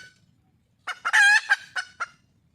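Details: Red junglefowl hen in the wild calling for a mate: a few short clucks around one loud, strained, drawn-out squawk, followed by two more clucks.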